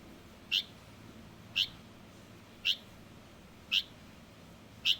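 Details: Juvenile Light-vented bulbul giving short, sharp single chip notes, five in about five seconds, spaced roughly a second apart over quiet background hiss.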